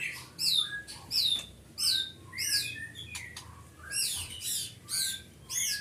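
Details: White-rumped shama at a captive breeding farm in Pati, Central Java, Indonesia, singing loud clear phrases: sweeping downslurred whistles and rich warbled notes, about one phrase each second, with short sharp clicks between.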